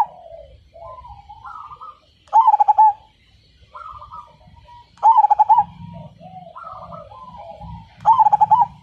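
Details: Perkutut singing to draw other birds into song. Soft rising coos build to a loud trill of rapid pulsed notes, repeated three times about every three seconds.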